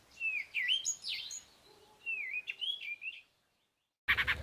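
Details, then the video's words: Garden Cape robin-chat giving two short phrases of whistled, slurred notes. A brief silence follows, then a harsh, loud burst cuts in at the very end. "CAPE ROBIN-CHAT'S melody, mimicry and scolding"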